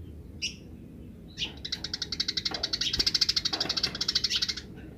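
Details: House sparrow song, wild birds answering: a fast run of bright, even chirps repeated about twice per second for three seconds, preceded by a few scattered chirps, over a low indoor hum.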